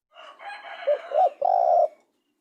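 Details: Spotted dove giving one cooing phrase, two brief rising notes then a long steady coo, after a soft rushing, noisy background sound.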